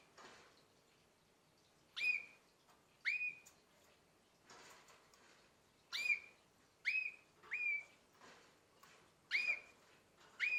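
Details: Nine-month-old canary repeating short rising whistled chirps, each flicking up then holding briefly, eight in about ten seconds at irregular spacing, with faint rustling and light background hiss.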